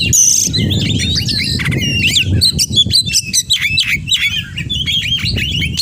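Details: Oriental magpie-robin singing fluently with many mimicked phrases. The clip opens with a bright buzzy burst, then quick whistles and sharp notes follow over a low, fluctuating background rumble.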